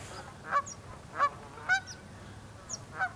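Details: Cackling goose calling: short, sharp, high-pitched honks, five in about three seconds, spaced unevenly, with a faint low hum in the background.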